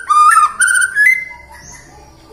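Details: White-rumped shama song as a prompt to sing in the morning, midday and afternoon: three short rich whistles stepping upward in pitch, fading into quiet.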